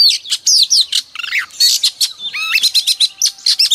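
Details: Female oriental magpie-robin song used to provoke males to sing, dense run of loud high chirps, squeaky slurs and harsh buzzy notes packed tightly together.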